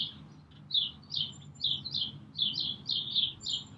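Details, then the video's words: A Brambling calls and sings at Green Moor on 24 March 2019: a quick run of short, high, slightly nasal chirps, about two or three a second, over a faint low hum. "Brambling Calling/singing"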